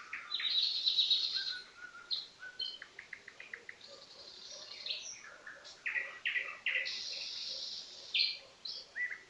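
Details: Common nightingale song: a high fast trill, followed by a mix of repeated chirps, rapid rattles and sustained whistled notes, set in a busy chorus of other birds.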